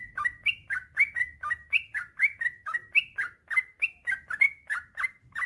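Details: Male yellow-vented bulbul singing steadily, a clean rhythmic series of bubbly rising-and-falling notes about three per second with little background noise.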